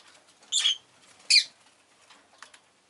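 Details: Rosy-faced lovebird uttering two strident, squeaky chirps less than a second apart, then a faint short call near the end.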